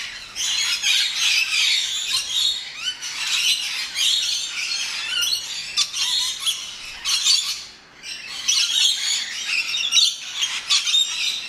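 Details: Rainbow lorikeets at a safari park's lorikeet landing keep up a dense, shrill chatter of harsh screeches and squawks, overlapping almost without pause, as from a noisy group; Rainbow lorikeet.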